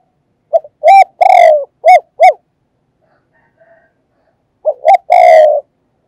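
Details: Spotted dove decoy perched to lure wild doves, cooing fast and insistently: quick clipped notes, a long mellow coo, two more short hooting notes, a pause with faint soft cooing, then the phrase starts again.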